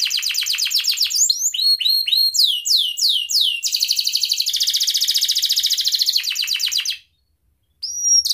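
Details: Gacor canary singing the ngerek style, used as a lure to get quiet canaries singing: rapid trills of falling notes, swooping phrases, then a long fast buzzy roll, a short pause and a final clear whistle.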